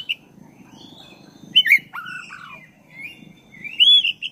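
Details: Black-breasted oriental magpie-robin in rolling song meant to stir caged birds: faint whistles over low murmur, sharp bright notes, two lower falling whistles, then a loud high looping phrase.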